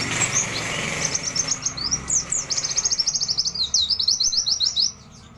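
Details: White-eye that imitates other birds' songs: very high, rapid chattering series of sweeping whistled notes and buzzy trills, changing pattern every second or so, ending abruptly.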